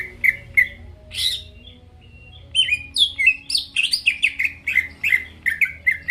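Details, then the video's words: Greater green leafbird lure song for provoking rival birds: a few spaced whistled notes and a squawk, then a tumbling run of quick sliding whistles and chirps. "PANCINGAN CUCAK IJO GACOR BUKA PARUH BIKIN LAWAN CEPAT ON LANGSUNG EMOSI DENGAR SUARA INI"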